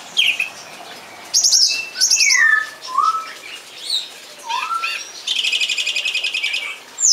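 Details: Song thrush pouring out varied phrases: doubled buzzy notes, slurred whistles, and a rapid dry trill of repeated notes lasting about a second.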